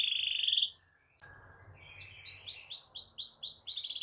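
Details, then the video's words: Canary song aimed at getting quiet canaries to sing: a short high trill, a gap with faint low rumble, then a series of repeated arching whistled notes at a steady beat. "Kenari GACOR NGEROL Cocok Jadi Masteran Burung Kenari PAUD dan Pancingan Kenari MACET BUNYI"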